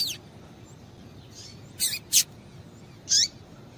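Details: Female double-collared seedeater calling to stimulate a male: a few sharp, high chirps, two close together then one with a falling tail a second later.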